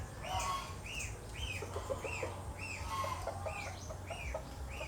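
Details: An Asian glossy starling (Aplonis panayensis) in the Philippines gives short, ringing, arched notes about twice a second, over lower clucking, possibly poultry, and a steady low rumble.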